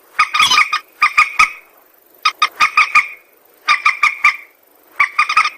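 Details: White-breasted waterhen call used as a trapping lure: bursts of harsh, croaking notes in quick series, each burst about half a second and repeated roughly every second or more, with silent gaps between.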